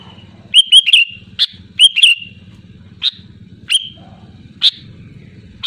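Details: Sooty-headed bulbul giving loud calls aimed at rivals, meant to lure other birds into singing. Two quick gurgling whistled phrases are followed by scattered sharp, clicking chips, all over an intermittent low mechanical hum.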